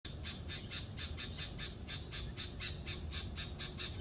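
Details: A bird in Indonesia in the morning gives high, harsh chattering notes, about three or four a second, over a steady low background rumble.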